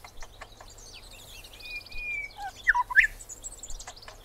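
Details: Grey Shrike-thrush, recorded in Australia: after a long, thin, level whistle, a short burst of loud, looping, whistled notes arrives near the three-second mark. High, scattered chirps from other birds run throughout over a faint low hum.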